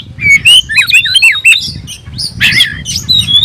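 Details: Oriental magpie-robin singing to challenge a rival, tail spread: a sweet whistled note, a jumble of rapid twisting phrases, then a harsh burst and a long level whistle.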